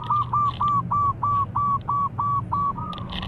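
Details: Zebra dove song said to make any rival dove answer: about ten evenly spaced short whistled notes, each dipping at the end, repeated roughly three times a second, over low background hum.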